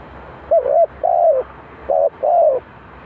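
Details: Spotted dove calling as a decoy at a bird trap in Ninh Thuận, Vietnam; four low, hoarse cooing notes in two pairs, each about a third of a second long, over soft steady background hiss.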